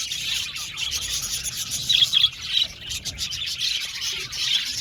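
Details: A colony of Australian budgerigars in an aviary chatters steadily with high, scratchy chirps and warbles.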